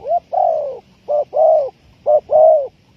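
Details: Spotted dove calling, a sound used as a lure for trapping: low, soft cooing in paired notes, a short coo followed by a longer drawn-out one, repeated three times within a few seconds against faint background hum.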